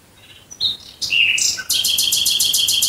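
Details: Nightingale singing at night near Dresden, Germany: soft introductory whistles, a few bright varied notes, then a loud, even, rhythmic run of repeated buzzy pulses.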